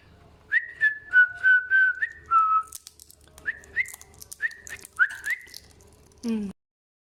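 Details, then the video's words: Female pet African grey parrot mimicking spoken Kurdish. Clipped whistle-like syllables come in quick runs of four or five, each gliding slightly up or down. After a pause, a few rising notes follow, then a brief low descending sound ends it. "Parrot kasko speaking kurdish توتی بە کوردی قسە دەکات توتی کاسکۆ ی ئەفریقی"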